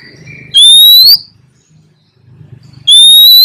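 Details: Wild female Oriental magpie-robin in breeding condition calls to draw in a male, answered back and forth. Two loud upward-sweeping whistles about two seconds apart, with a low rumbling hum between them.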